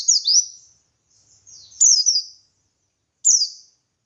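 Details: Lively ngalas song of a buxtoni white-eye used to stir other white-eyes into singing; high, bright, downslurred whistles in three short bursts over four seconds.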